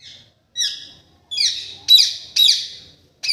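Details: Green parrot giving harsh, buzzy squawks, each sliding down and fading, repeated roughly every half second with short gaps between bursts; no other sounds stand out.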